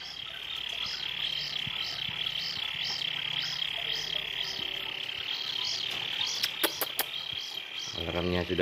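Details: Hand-reared kingfisher chick calling for food at night before its first feeding with crickets: a high, steady whine with short rising-falling notes repeated about every half second, then a few clicks and a man's voice.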